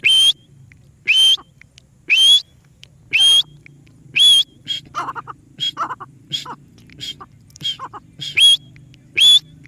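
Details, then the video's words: Parrot repeating a loud, rising whistle roughly every second, with harsh, buzzy mid-pitched squawks in the middle stretch and a faint hum behind. "The lovely sound of a parrot"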